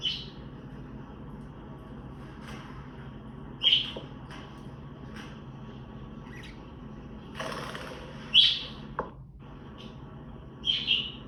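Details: Budgerigar contact calls, the chirps budgies use to find flock mates they cannot see. Short, high chirps sound a few seconds apart among soft clicks and a burst of rustling, over a steady low indoor hum.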